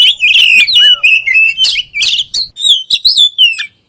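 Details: Oriental magpie-robin (kacer), said to set other kacer birds singing, gives a loud run of clear whistled notes near one pitch, with short upslurs and brief rasping flourishes packed into a few seconds.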